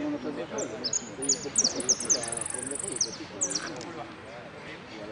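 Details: Third-placed finch at a singing contest in Merlo, 3 December 2017, 'sin cierre' style: a sustained run of sharp, high, rapidly repeated notes and short buzzy trills, with a murmur of human voices beneath.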